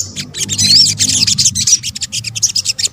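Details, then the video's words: Sunbird, known locally as sogok ontong, in a combined call track used to lure birds: dense, rapid high chattering twitters with quick bright notes and a short rising whistle, pulsing almost without pause, over a faint low hum. "PANCINGAN SOGON BUNYI AMPUH | kombinasi suara sogok ontong"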